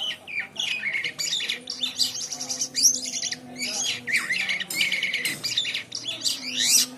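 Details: A white-shouldered triller, in a long-duration tutor recording of an actively singing bird, sings a nonstop stream of high, bright chirps, trills and quick twittering phrases over a faint low hum.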